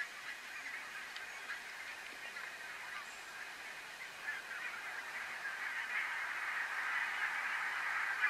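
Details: Cackling goose of the subspecies hutchinsii, recorded at Strijen in the Netherlands in February 2018: many overlapping high, yelping honks in a continuous chorus that grows denser and louder toward the end.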